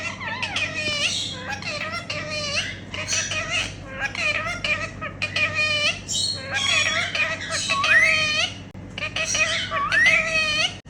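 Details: Several pet Indian ringneck parakeets, talking parrots, make happy sounds at playtime. A busy, continuous stream of rapid, squeaky, warbling chatter and short rising whistles runs throughout, with a steady hum in the background.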